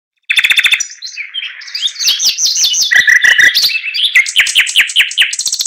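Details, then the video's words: Chinese hwamei singing a loud, varied warble: rapid trilled notes, then bright rising whistled phrases repeated in quick series, ending with a run of slurred notes; no other clear sounds. "TIẾNG CHIM HOẠT MI HÓT LÍU LO"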